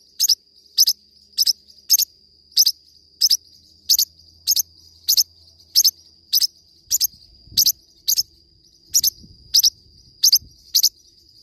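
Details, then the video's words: Singing Forpus parrotlet giving a long run of bright, high double-note chirps, nearly evenly spaced about twice a second, with a continuous thin whine underneath and a few faint low bumps. "forpus bird singing"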